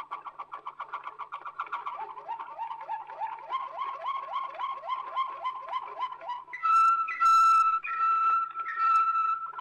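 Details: Waterslager canary from an old Belgian record, singing a rapid rhythmic rolling trill of repeated notes that gradually rises, then breaks into a loud pure sustained whistle with brief sharp accents.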